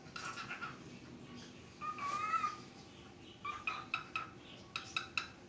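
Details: A cockatiel talks while playing, chattering in warbled, speech-like phrases broken by sharp little chirps.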